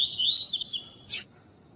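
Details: Coleiro, or double-collared seedeater, singing the tui tui song style used for training: a brief bright whistled phrase wavering high then dipping, followed by a sharp click, with a quiet background.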